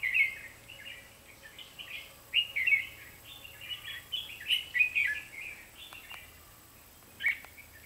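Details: Decoy red-whiskered bulbul singing during a trapping session on 23 October 2016, giving short bursts of lively warbled, chirpy phrases every second or two, with brief pauses between and a steady faint background hum.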